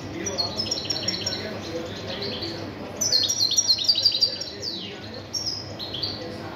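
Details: Goldfinch singing in rapid, jumbled bursts of sharp chirps and liquid trills, with a descending buzzy sweep midway and a louder, denser phrase around the middle of the clip.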